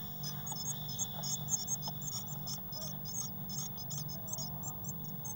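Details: Eurasian blue tit nestlings, six chicks packed into a nest box in late May 2019; quick bursts of shrill, high-pitched squeaky notes repeat densely throughout, with a constant low droning hum underneath.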